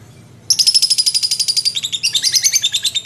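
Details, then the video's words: After half a second of near silence, a lovebird breaks into ngekek, a shrill, rapid chattering trill whose pitch dips slightly partway through and keeps going to the end. "SUARA BURUNG LOVEBIRD GACOR NGEKEK & TELER"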